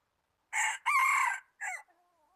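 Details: Red junglefowl serving as a trapping decoy, January 2019, delivers a clean three-part crow: a short first burst, a pause, a long sustained middle section, and a short dropping final note, against near silence.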